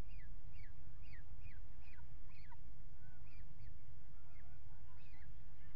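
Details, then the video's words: Peregrine falcon at a water tower nest box, February, around mating on the ledge: a rhythmic series of sharp downward-slurred whining calls, roughly two per second, over a constant low rumble. "Paring Op Rand"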